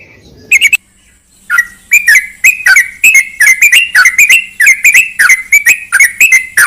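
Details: Trucukan (yellow-vented bulbul) recording used to coax a silent bird into song: a brief chatter, a pause, then a long run of loud, slurred, whistled notes at an uneven rhythm over a faint steady high tone and low hum.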